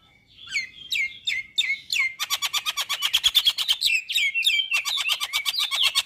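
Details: Male Javan myna with white eyes, its song said to make any myna join in: a few slurred whistles lead into a fast, buzzy rattle of rapidly repeated notes, ending in squeaky, trilling chatter.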